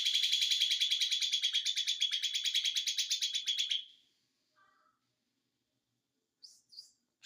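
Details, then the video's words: Small white-eye known locally as ijo mini, singing in the konslet style: a fast, buzzy trill of evenly repeated high notes for about four seconds, then a few soft chirps after a pause. "ijo Mini konslet"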